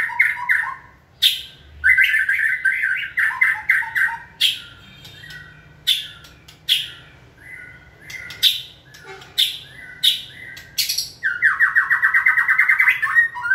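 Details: Caged white-rumped shama stimulated to sing during training; a long sequence of varied chattering phrases, sharp clicks and short whistles, closing with a fast rattling trill.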